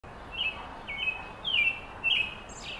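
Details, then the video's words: American robin calling on July 3, 2021 at Carl Schurz Park: five short, thin, high notes about half a second apart, each slightly slurred, over a faint background hiss. "AMERICAN ROBIN Call"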